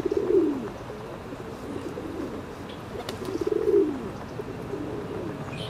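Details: Ring-necked duck calls come as two low, descending, slightly buzzy phrases roughly three seconds apart, standing out against a constant hiss of background noise.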